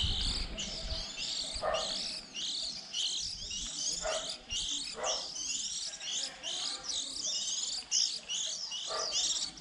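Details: Young white-eyes early in the season, recorded for use as a trapping lure around April when chicks leave the nest; a dense, continuous high thin twittering of many overlapping chirps, with a few soft low knocks at irregular intervals.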